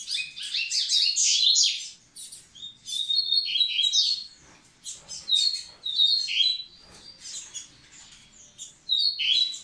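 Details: A Double-collared seedeater sings to prepare the females: a long sequence of varied twittering phrases, clear whistled notes and buzzy chirps, broken by short silences.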